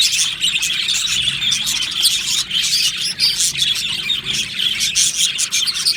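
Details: Budgerigar colony kept in an aviary, recorded 15 July 2025, many birds chirping together: rapid overlapping high twitters and squeaky tweets forming a steady, busy chorus throughout.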